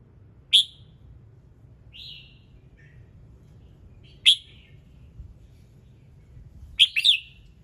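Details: Morning song of a red-whiskered bulbul, used to prompt other birds to sing: short sharp chirps spaced a few seconds apart, a soft whistled slur between them, and a quick double phrase near the end over low background hum.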